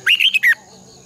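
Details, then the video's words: Caged red-whiskered bulbul used as a training decoy, singing a quick phrase of three to four warbled whistled notes ending in a longer falling slur, followed by near silence. "luyện chào mào hót sáng 2020 - Giọng kép xoắn dài Quá hay hót căng lửa"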